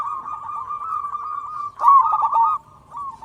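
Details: Local zebra dove, a lure to make other zebra doves sing: soft rolling coos, then one louder, bubbling phrase lasting under a second, then fainter cooing.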